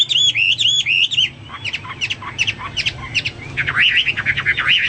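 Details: Hwamei singing busily: looping whistled phrases at first, then short sharp chipping notes, followed by a dense run of quick up-and-down whistles.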